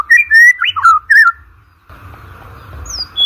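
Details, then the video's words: White-rumped shama song used as a training lure for competition birds: a rapid run of rich whistled and slurred notes for about a second, then a pause and thin background hiss with one high descending whistle near the end. "OCEHAN MURAI BATU PALING EDAN, COCOK UNTUK PANCINGAN MURAI BATU UNTUK LOMBA"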